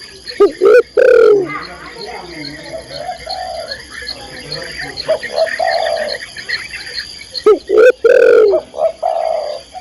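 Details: Female spotted dove calling the male: loud, clipped coo notes with rising then falling tones, bunched at the start and again near the end, with softer murmuring coos between.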